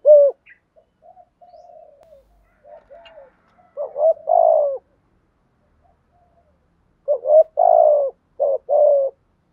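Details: Spotted dove calling with thúc gù and gáy gọi cooing, switching phrase types continuously: soft low murmuring notes, then loud mellow hooted coos in pairs and triplets around four and eight seconds, quiet between bursts.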